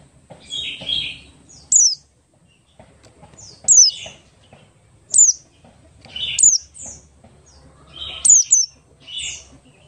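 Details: Buxtoni-type Oriental white-eye singing in the ngalas style as a lure to set other white-eyes singing: crisp descending whistles every one to two seconds, alternating with short warbled chirps, against a quiet background.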